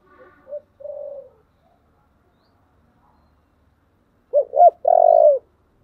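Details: Spotted dove of the low 'thổ' voice type, cooing in its 'thúc' and calling manner. Faint soft notes come first, then a pause, then two sharp looping coos and a drawn-out, even, low coo.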